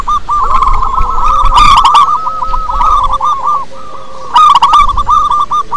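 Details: Local wild zebra dove, used to stimulate other doves to sing: a rapid chain of rising-falling coos with a brief gap midway. Two sharp clicking bursts are heard, and a faint tone hums beneath.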